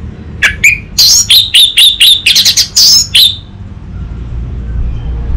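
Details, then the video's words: Lure song of an orange-headed thrush (anis merah), recorded in North Bali to train an untrained bird to sing back openly. A string of loud, clear whistled notes repeats about twice a second before fading into background hum. "Pancingan dan Masteran Burung ANIS MERAH Bahan, SuPaya Nyaut Ngeplong dan Singset"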